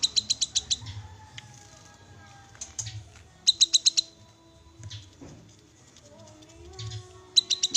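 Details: Black-capped babbler (kinoi) call meant to make an untrained bird sing at once: bursts of rapid, sharp, evenly spaced chips, about six per burst, separated by short pauses, with faint low hum beneath.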